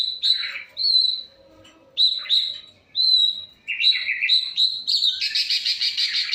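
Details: Long-tailed shrike in full varied song. Spaced, clear, high whistled notes lead into rapid, scratchy phrases, and the passage ends in a fast, buzzy, rattling trill.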